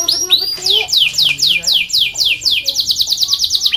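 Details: Canary in full song for training and luring other canaries: a rhythmic run of loud descending whistled notes, about three per second, speeding into a quicker sequence at the end.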